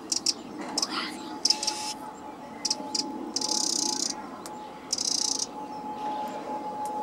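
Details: Eurasian wren, a very small and lively garden passerine, singing: short, rapid, high trilled bursts repeated several times with brief pauses between them, over a steady low hum.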